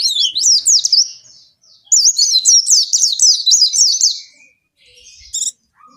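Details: Long lure song of the oriental white-eye (pleci), meant to get captive white-eyes singing: quick high warbled phrases, a rapid chain of rising whistles, then quiet and a last short buzzy note.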